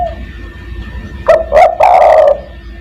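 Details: Loud spotted dove call used to lure other doves: two clipped short notes followed by a drawn-out, rough, vibrating coo, with constant background hum.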